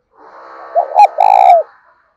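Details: Decoy spotted dove in the thổ đồng voice style, kept to draw wild doves into cooing. It gives one low, throaty coo phrase: a short wavering double note, then a longer trembling note that falls at the end.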